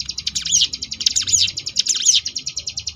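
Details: Ciblek gunung, the Sunda bush warbler, singing ngebrem variations for contest-bird training: a fast high trill of pulses with sharp, swooping whistled notes woven through the middle, then the pulsed rattle running on to the end.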